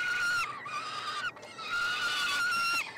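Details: Peregrine falcon nestlings, three siblings, crying for food during a feeding at a Montreal university nestbox in Quebec, June; two long, strained, even-pitched screams ending with a slight downward slur.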